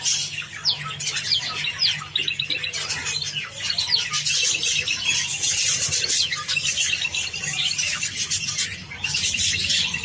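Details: Flock of Java sparrows feeding on wheat grains, producing bright, high-pitched chirps and crackly pecking clicks in loose runs, with a lull near four seconds and renewed chattering toward the close; low hum throughout.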